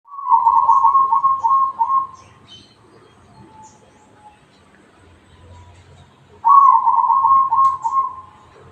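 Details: Zebra dove singing in the bedah karang style: two loud bursts of rolling, fluttering coos, each lasting about two seconds, separated by a long quiet pause with faint background sounds.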